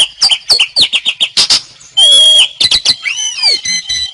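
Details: Jalak suren song in the lively 'gacor' manner: short rhythmic whistled notes, a sustained flat harsh whistle, then curving whistled glides falling away in pitch.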